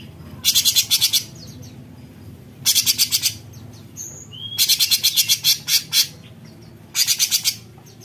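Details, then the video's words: Rapid, rasping besetan chatter from a cucak cungkok bulbul: four runs of harsh pulses, one longer with a stuttering end, and a single clear rising whistle in the middle. "Besetan Cucak Cungkok Gacor"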